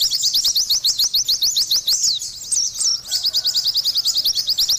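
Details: Oriental white-eye in energetic song, with quick high upslurred tweets interrupted by a few drawn-out, descending whistled notes, then rapid chirping again.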